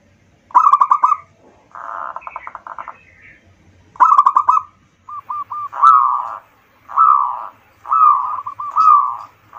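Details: Local zebra dove song as a lure to stimulate other birds: rattling stuttered coo phrases followed by repeated rolling, arched coos spaced about a second apart, clean and quiet between phrases.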